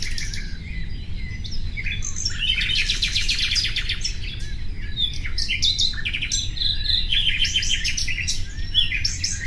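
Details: Common nightingale delivering a rich song of rapid trills, clicking series and clear whistled notes in varied phrases, with a low steady background hum.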